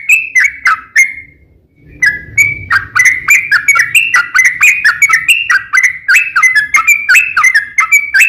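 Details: Lure song of a yellow-vented bulbul in fighting style, played to make other bulbuls respond: a continuous stream of liquid, chattering whistled notes rising and falling, briefly pausing near the start, with a soft low hum beneath.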